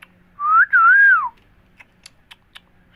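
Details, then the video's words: Indian parrots talking, repeating 'Mithu Miya Mithu': a single loud whistle that rises, dips briefly, then swells and slides down, followed by a few faint clicks. "Indian parrots talking Mithu Miya Mithu parrots sounds"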